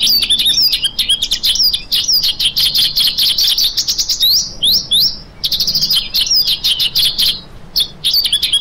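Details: Lark singing a continuous, rapid stream of high, varied chirps and slurred whistles, with short rising and falling notes run together and brief pauses near the middle.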